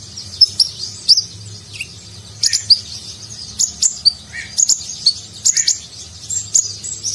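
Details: Sunbird known as konin, purple-throated sunbird, singing with rich fill in nagen style for training contest birds. Sharp high chips repeated at short intervals, mixed with brief lower slurred notes.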